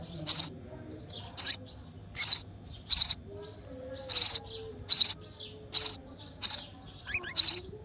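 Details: Nest scene of a sparrow chick begging from its feeding mother, repeating shrill high chirps about once per second for eight seconds, with a faint low tone in the background.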